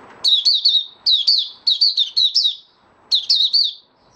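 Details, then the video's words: White-eye (mata puteh), a male stabilizing his form in opening song (buka sing), dated 08012022: loud, high, chattering phrases of three to four rapid slurred chirps, repeated in quick succession with one short pause. "Mata Puteh Raja Stablizing his form buka sing"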